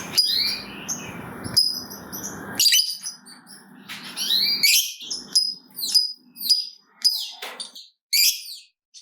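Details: Lovebird of the fighter type, used as a lure for other lovebirds. Varied shrill squeaks, rising whistled notes and buzzy chatter come in irregular bursts over a hissy background.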